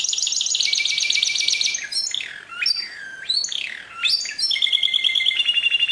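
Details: Sustained canary song: a fast high trill, then sweeping swooping whistles dipping and rising, ending in steady rolling trills of rapidly repeated notes, with no other sounds.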